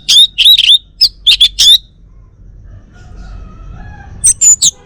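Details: Caged male orange-headed thrush of the Bali type, from Singaraja in North Bali, delivers bright, high whistled and slurred notes in quick succession, falls silent for about two seconds, then adds three sharp, piercing notes.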